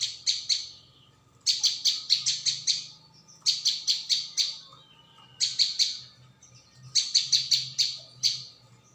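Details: Lure recording of a prinia (ciang, prenjak bawah): five bursts of rapid, bright, high chirps, three to seven notes each, follow one another with brief pauses, nearly without gaps.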